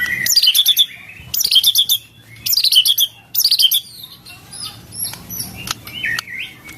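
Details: Cililin-filled song of a white-rumped shama: four loud bursts of fast repeated sharp notes about one second apart, followed by softer scattered whistles and chips, with a low hum in the background.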